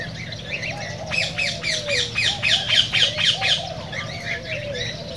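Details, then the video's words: Cockatiels calling, in a recording meant to stimulate singing and mating: rapid harsh squawks roughly four per second, loud for about three seconds, over a bed of low wavering whistles and occasional chirps. "تغريد كوكتيل"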